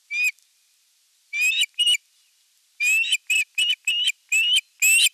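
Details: Evening feeding at an osprey nest, 30 June 2022, nest camera: a long series of loud, high whistled cheeps, scattered at first, then a rapid run of about eight notes spaced roughly a third of a second apart.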